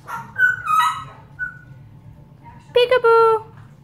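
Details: Female pet African grey parrot saying peek-a-boo, which comes out like pack-a-boo: a few harmonic, voice-like syllables, then a quick double note followed by a longer steady vowel, with quiet room noise between.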